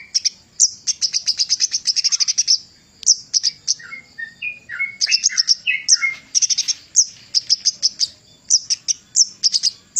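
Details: Master recording of a Javan cochoa for training songbirds: fast trains of high staccato chirps, broken midway by several lower short whistled notes, then more quick chirp runs.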